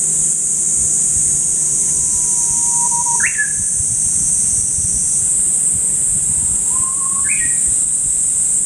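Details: Japanese bush warbler repeating its song twice, about four seconds apart. Each song is a long, low, slightly rising whistle followed by a sharp, leaping flourish. A steady, high-pitched insect buzz sounds in the background.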